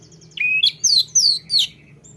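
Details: Short rolling phrase from a lesser shortwing: a few sharp, very high whistled notes sliding up and down in quick succession, then quiet.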